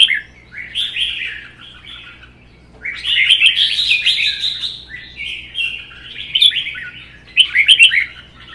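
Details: Two caged red-whiskered bulbuls, one captive-bred and one wild-caught adult, singing in a provoked contest. Choppy warbled phrases open the clip, then a long, dense, loud stretch of chattering song, with sharp accented notes toward the end.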